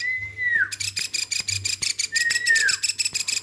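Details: Hand-raised captive woodpecker, kept since it was a baby, calling continuously: rapid harsh buzzy notes repeated several times a second, twice interrupted by a clear whistled note that slides downward.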